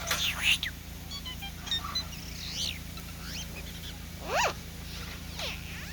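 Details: Green jay giving a varied run of harsh, scratchy notes and sharp calls that sweep steeply up and down, over a steady low hum, while looking at the recordist curiously.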